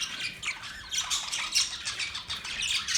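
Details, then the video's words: Budgies chattering: quick high-pitched chirps and scratchy squawks in short overlapping bursts, loudness swelling and dipping over three seconds. "Sound of Budgies parrot Budgies chirping sound"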